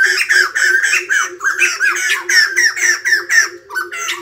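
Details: White-crested laughingthrush singing in the morning: loud, rollicking, cackling phrases, rising and falling notes about four per second, with a faint steady hum beneath.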